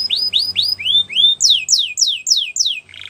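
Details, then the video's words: Canary song for training young canaries: rising whistled notes repeated about three per second, then five loud falling sweeps and a brief low buzzy trill. "The Best Canary Singing For Training !! Try It"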